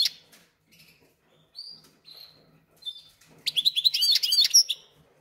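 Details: Captive goldfinch × canary hybrid, settled in its cage two or three days after arriving, singing: a few scattered short whistled notes, then a dense burst of quick, varied twittering.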